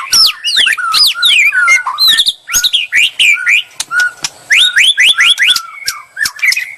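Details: White-rumped shama singing to provoke a reply, delivering clear downslurred whistles, then a run of four rising upslurred notes and a level whistled tone, mixed with quick chattering ticks.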